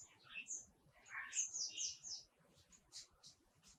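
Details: Wild bird nestlings in the nest, being fed by their mother while the father guards, give a rapid, excited burst of high, squeaky chirps, then a few thin, scattered high ticks.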